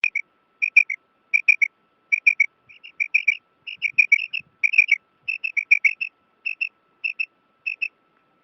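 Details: A female common quail calls for a male with short, high, clipped notes in quick pairs and triplets, repeated about every second, over a faint steady hum.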